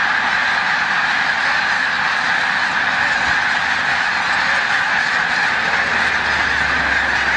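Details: Huge migrating flock of snow geese near peak passage at Montezuma, New York, 7 March 2022, lifting off: an unbroken roar of overlapping high-pitched honks and barks, steady in loudness throughout.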